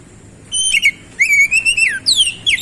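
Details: Continuous sweet whistled song from an oriental magpie-robin (kacer). A steady note is followed by a long wavering phrase that falls away, then a steep downward-sliding whistle.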